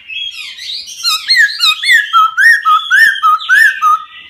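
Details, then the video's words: Forest laughingthrush, a caged songbird, singing: quick bubbling whistled phrases, a rhythmic series of rising-falling notes repeated about three times per second, clear and melodious. "CHIM KHƯỚU RỪNG HÓT CỰC HAY"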